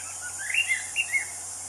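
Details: Brief wild anis cendana thrush phrase: four clear, slightly slurred whistled notes in quick succession, each swelling then fading, over steady high-pitched background hiss.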